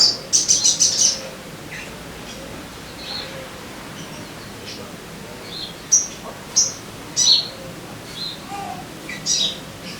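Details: Crimson sunbird (sogon) voice, played to coax caged birds into full song: a rapid burst of thin high chirps at the start, then scattered single sharp tweets and short squeaky notes over a quiet background.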